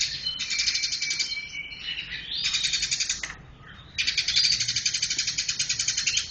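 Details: Lively chirping from a tame Eurasian tree sparrow: dense runs of rapid, buzzy high chirps, a brief quieter pause, then a loud stream of quickly repeated chirps to the end.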